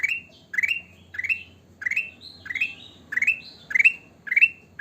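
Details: Sooty-headed bulbul in full song: bright rising chirped phrases repeated steadily about every half second, each sweeping upward with a short trailing whistle, some with a higher note tucked in between, over faint background hum.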